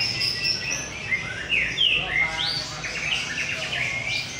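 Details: White-rumped shama singing in a bird singing contest in North Jakarta, Indonesia: varied loud whistled phrases, rising and falling sweeps and rapid trills, with other birds and crowd noise faintly behind.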